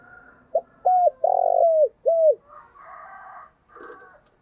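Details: Spotted dove in the 'thổ đặc' deep voice, cooing in the morning to draw other doves. A crisp low phrase of short note, level hoot, rolling note and drooping end, followed by rougher harsh calls in the background.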